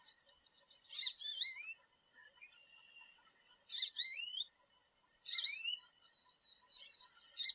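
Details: American goldfinches in a backyard with thistle and sunflower feeders, where they come in groups, twitter in bright, high bursts of rising, slurred notes about every one and a half seconds, with softer chattering between.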